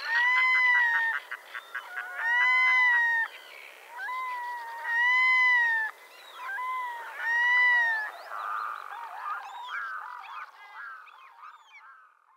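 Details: Red-throated diver uttering a rhythmic series of arched cat-like wails about every 1.5 seconds, fading into softer, more broken calls.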